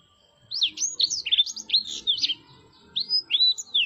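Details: Soft-voiced song of a blackthroat: bursts of sweet, high, looping whistles and rapid twitters, broken by a short pause before a final run of clear, swooping notes.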